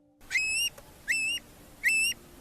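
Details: Long-billed curlew, a shorebird that forages grasslands and mud flats, giving haunting calls: three clear, high whistles, each sliding up then held steady, repeated about every 0.8 seconds over faint background hiss.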